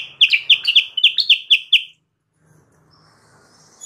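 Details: Sooty-headed bulbul song as a wild-bird lure: about nine brisk, bright chirps in under two seconds, followed by quiet with faint background hiss.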